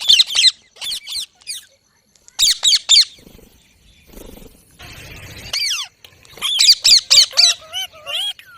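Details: Green parrot giving harsh, raspy squawks in quick clusters of three or four, with a few downward-sliding whistled notes and a brief noisy hiss in between.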